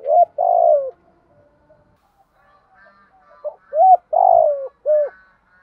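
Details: Spotted dove cooing to call and challenge a rival to fight: loud low hooting coos in short groups, a rising note then a long swelling coo, with a quieter coo in between.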